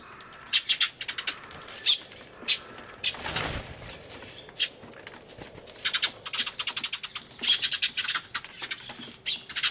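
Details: Sparrows crying hard during a noisy commotion, 24 March 2013, camcorder recording with a turtledove nearby; scattered sharp chirps at first, a soft rushing burst midway, then a thickening run of quick high chirps toward the end.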